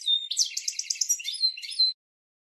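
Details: European goldfinch song used to train cage birds: a dense, fast twittering phrase of ringing, tinkling notes ending in a clear high whistle, then silence.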